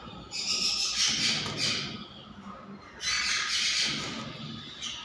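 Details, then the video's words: Monk parakeet producing two long bouts of loud, scratchy squawking, each about one and a half seconds, separated by a quieter pause with faint low background rumble. "monk parakeet"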